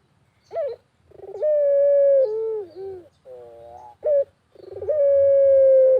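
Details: Rural barbary dove giving two full coo phrases, each opening with a brief upslurred note and a rolling pulse, then a long level hoot that dips lower at the end, with short soft coos between.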